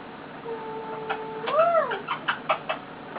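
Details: Pet male eclectus parrot resting on its owner, giving contented cute noises: a flat, sustained whistle that bends into an arched rising-falling note, followed by a run of quick clicks.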